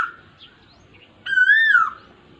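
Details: One clear Asian koel whistle, recorded during the rainy season on 23 June 2022, climbs steadily and then drops off at the end, after a faint earlier note.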